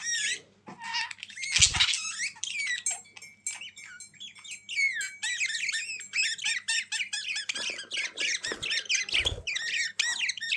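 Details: Budgerigars chatter at length in dense warbled phrases of squeaky, looping notes and a few long thin whistles, with occasional low knocks.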